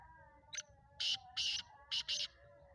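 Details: Black francolin, a Speeder-type Sindhi bird up for sale, calls one harsh five-part phrase: a short opening tick followed by two long rasping notes and a closing double, with a steady faint tonal hum behind.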